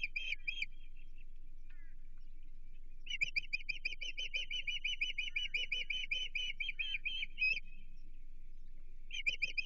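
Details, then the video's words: At a Chesapeake osprey nest in June 2023, an osprey reacts to an intruder with a long, steady string of loud, high-pitched whistles repeated several times a second, bracketed by shorter bursts. "Stranger Danger - Chesapeake Osprey Nest"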